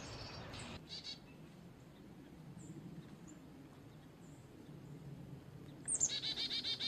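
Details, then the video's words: Carolina chickadee: faint buzzy notes early on, then a clear high introductory note and a run of about six evenly spaced, harsh dee notes, over low background rumble. "Chickadee call / song / sounds"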